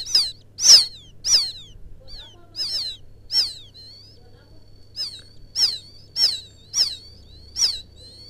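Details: Quail chick (puyuh sawah, rice-field quail) calling for its mother, a lure call: about ten thin, high, downward-slurred peeps spaced unevenly over eight seconds, with a faint steady tone and low hum behind.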